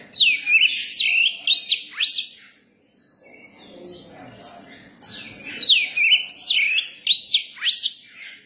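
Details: Young Oriental magpie-robin song in two bursts, each a string of bright, rapidly rising and falling whistles lasting about two seconds, separated by a quieter pause with faint background murmur.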